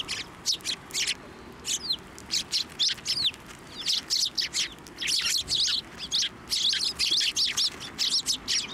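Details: Many sparrows cluster on a person's hand to be fed at a Tenmangu shrine; steady high chirping from the flock, notes repeated rapidly and overlapping, with a busier chorus toward the end.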